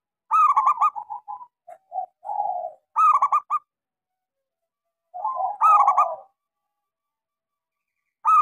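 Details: Frequently singing local zebra dove with a small voice, used as a lure for doves that have stopped singing. Quick stuttering coo phrases with trailing softer coos, repeated about every two to three seconds, with no other sounds.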